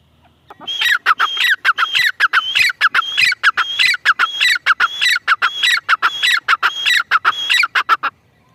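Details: Grey francolin (teetar) calling: loud, harsh, squeaky phrases repeated in a rapid, steady rhythm of about eight cycles, each with a rising then falling note. The voice is clear and dominant over a quiet background.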